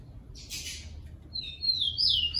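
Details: Captive rufous-collared sparrow (tico-tico), Brazil, singing in a recording used to train and warm up birds: a short noisy burst, then high whistled notes sliding and slurring near the end.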